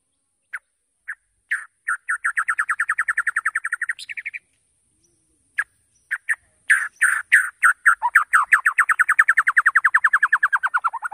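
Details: Shama (white-rumped) lure song to get other birds singing fast: a few spaced notes, then a long, even trill of quick repeated notes, a pause, and a second, longer, slightly descending rapid trill.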